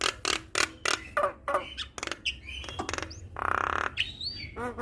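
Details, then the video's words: Javan myna song, full and varied, meant to make other mynas join in. It is a rapid series of harsh, broadband rasping bursts with a buzzy squawk midway and short whistled slurs near the end. "Jalak Kebo Full Isian Mantap Bikin Semua Jalak Ikut Bunyi"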